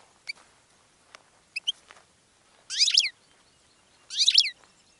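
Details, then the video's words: Goldfinch song: two short, dense bursts of bright, twittering, downward-sweeping notes about a second and a half apart, each under half a second long, with a few scattered soft high clicks before them. "GOLDFINCH SONG to ATTRACT Other Birds"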